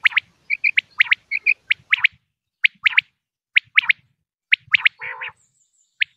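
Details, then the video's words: Common quail in Pakistan, a hunters' lure recording: sharp, high three-note phrases, a lone note then a quick pair, repeated roughly every second, with a few doubled high notes and one brief rasping burst near the end. "quail sound effect video"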